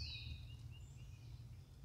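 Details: Red-tailed hawk heard in Midwest woods while foraging beside a fallen tree in spring: a high, hoarse, descending scream that trails off, over a steady low rumble of outdoor noise.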